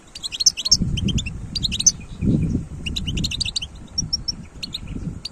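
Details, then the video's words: Wild European goldfinch delivering quick jangling twitters and short pure whistles in clustered phrases, with noticeable low rumbling noise underneath. "تغريد حسون خلوي"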